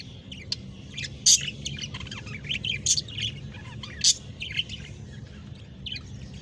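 Budgerigar chicks give scratchy, high chirps in irregular bursts while begging to be fed.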